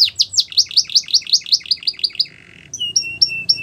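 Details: Training song of a Belgian canary for young birds: a quick run of bright downslurred chips, a short steady buzzy note, then a series of sharp whistled notes with a low tone underneath.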